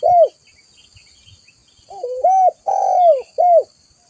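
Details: Spotted dove, recorded as a trapping lure and master song: one arching coo, a quiet gap, then a phrase of a wavering low intro, a rounded hoot, a long dipping note and a final short coo.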